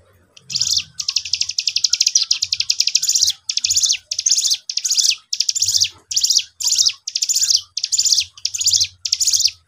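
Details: Young cigun acting as a lure, vocal and prompting an untrained cigun to reply: bursts of rapid, high, rattling pulses, each burst under a second, repeated in a stuttering series with brief gaps, faint low room hum beneath.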